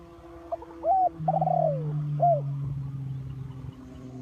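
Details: Decoy spotted dove for trapping gives one mellow cooing phrase: a brief upslurred note, a longer rolling coo that falls away, and a final short coo. A steady low mechanical hum runs underneath.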